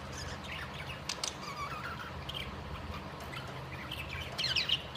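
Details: Budgerigars that are mating give soft, scratchy chirps and a brief high chattering warble toward the end.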